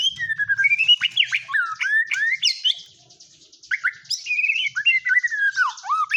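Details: Varied whistled song of a white-rumped shama (murai batu) with mimicked phrases: rapid upslurred and downslurred notes and buzzy high trills, a brief pause midway, then more slurred whistles and chattering.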